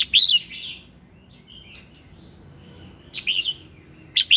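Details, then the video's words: Morning song of a red-whiskered bulbul for prompting birds to sing: a bright warbled whistle burst, quiet thin notes, then a rapid run of three louder whistled phrases and another at the end, with low background hum. "Tiếng Kích Giọng Chào Mào Hót Sáng"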